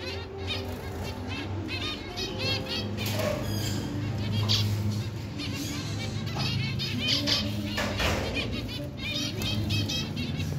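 Zebra finches give a rapid stream of short, nasal, trumpet-like beeps over a steady low hum.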